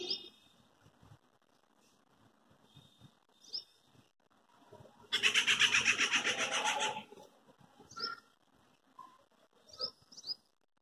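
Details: Quiet afternoon, a treepie hopping between branches lets out its loud metallic call, a dense harsh rattle about two seconds long, with scattered faint whistled notes from other birds around it.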